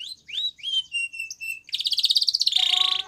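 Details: Spanish Timbrado canary, a white bird, singing training song: rising whistled slurs, a flat held whistle, then a quick buzzy trill running into a lower rolling tour.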